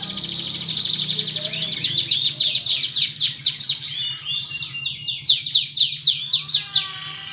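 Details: Canary singing as a lure recording meant to prompt other canaries into vigorous song: dense high rapid trills and repeated chirps, a series of sharp pulsed notes near the end, with faint low background hum.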